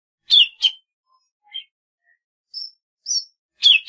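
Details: Golden-fronted leafbird delivering strong, rich double notes, then softer scattered chirps and short high whistled tones, before another loud burst at the end.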